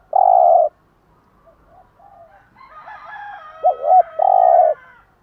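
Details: Spotted dove morning cooing in the bai ban pattern, used to stimulate caged doves. A long buzzy coo opens, then a wavering double note and a second sustained coo. A rooster crows over the middle section.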